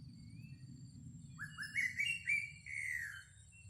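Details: Greater racket-tailed drongo song used as a decoy: a run of short rising whistled notes climbing in steps, then a longer slurred falling whistle, over a steady low hum and faint high tones.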